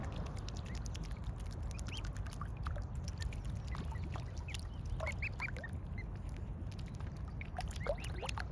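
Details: Mute swan cygnets giving many thin, rising peeping whistles, short and overlapping, scattered continuously through the recording over a loud low rumble.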